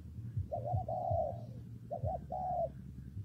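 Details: Spotted dove in rainy, windy weather: two soft cooing phrases, each a quick double note running into a longer, slightly falling coo, over a faint low hum.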